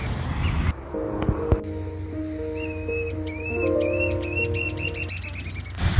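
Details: A narrow-billed woodcreeper, apparently foraging for food, gives a quick series of about eight high, slurred whistled notes over about three seconds, partly masked by steady background music.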